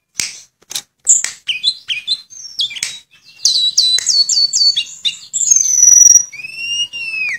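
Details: Sulingan (tledekan), noted for imitating other birds, delivering a 'nyuling' flute-like song with 'isian' fill-ins: varied sharp notes and short slurs building into a rapid series of high rising whistles, ending in long sweeping pure tones.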